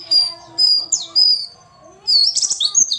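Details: A female white-eye gives thin, high whistled notes in short bursts, then breaks into a quick, busy twitter, calling to provoke males to sing; a faint low hum runs underneath.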